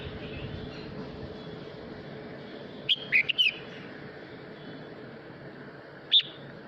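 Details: Red-whiskered bulbul male sings to call his flock: a short cluster of three crisp whistled notes, then a single clear note a few seconds later, against faint background hiss.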